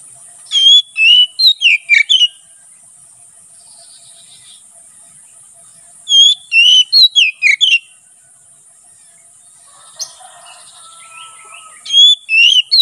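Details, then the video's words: Ngeplong song of a kacer (Oriental magpie-robin), used to train birds and lure wild kacer in forest: three loud bursts of quick whistled and slurred notes separated by quiet gaps, with a faint buzzy sound in between. "BURUNG KACER NGEPLONG SUARA COCOK UNTUK MASTERAN DAN MIKAT KACER DI HUTAN"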